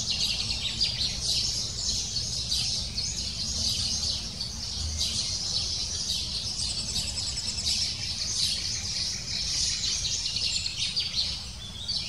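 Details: Lesser spotted woodpecker chick begging persistently at the nest while parents visit to feed it; continuous high, rapid twittering with occasional trilled runs, over a low steady background hum.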